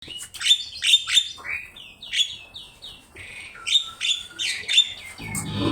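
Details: Javan myna in full song, used as a master recording for teaching other birds to sing: rapid chattering notes mixed with clear whistled slurs, some rising, others falling, in quick bursts. A low rumble enters at the end.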